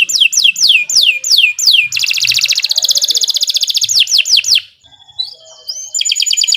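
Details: Canary singing a long training-master song: repeated downslurred whistles, a dense fast rattling trill, more slurs, a brief pause, then a thin rising whistle and another bright trill.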